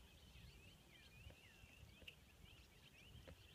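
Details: Ruddy turnstones at Four Rivers Conservation Area, Vernon County, Missouri, give quick, overlapping twittering notes and short chattery rattles, several per second, over a steady low rumble of wind or surf.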